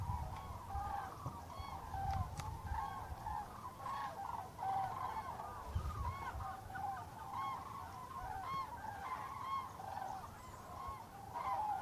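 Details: A flock of common cranes at Tablas de Daimiel, Spain, in November 2012 gives loud, rolling, trumpeting calls that overlap constantly, several birds at once, over a low rumble of wind.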